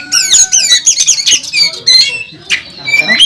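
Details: Oriental magpie-robin, a national first-place champion, singing hard in fighting mode on a bird contest track. A dense run of loud whistles with rich overtones sweeps up and down, mixed with harsh rasping notes and brief pauses.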